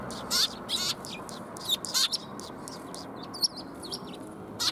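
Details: Group of sparrows coming for food on 20 March 2021: short, clipped high chirps spaced irregularly, some doubled, with quieter gaps between and a faint steady hum beneath.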